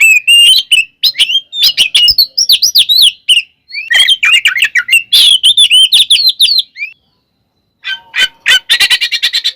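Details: Oriental magpie-robin fight song to provoke other birds: long rapid streams of varied whistled and chattering notes, a brief silence, then a fast buzzy trill.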